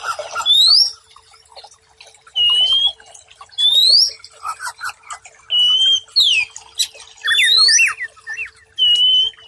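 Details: White-rumped shama song used as masteran, a training recording for stressed birds that have stopped singing: loud, pure rising whistles repeated roughly every one to two seconds over soft, faint chatter.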